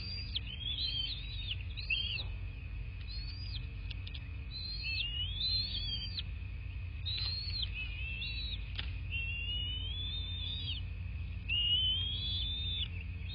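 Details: Bald eagle calls from a nest in southwest Florida, camera-recorded 26 February 2024 at 09:21: long series of high chattering, arched whistles, closing with longer drawn notes, over persistent electronic hum and low rumble.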